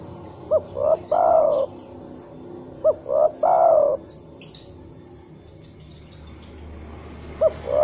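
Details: Call of a spotted dove, played so that other doves answer. Two complete cooing phrases about two and a half seconds apart. Each is a short note, a swelling note, then a long coo. A third phrase starts at the end.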